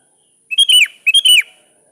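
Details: Sooty-headed bulbul calling out a rival, giving two matching liquid phrases half a second apart, each a short run of bright whistled notes ending in a downward slur; a thin constant high whine runs behind.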